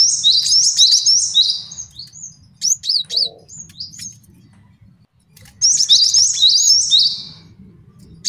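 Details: Male cinereous tit master song for training and trapping: a long bright jangling chatter, a few sharp chips and a quiet pause, then another sustained ringing chatter phrase.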